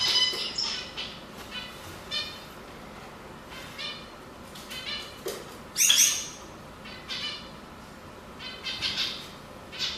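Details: Canary singing, sex being judged: scattered high chirps and trills with a sharp loud note near the middle, quieter hiss between phrases.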